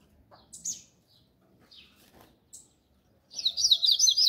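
A double-collared seedeater gives a few sharp high chips, then a rapid, bright twittering trill of fast warbled notes.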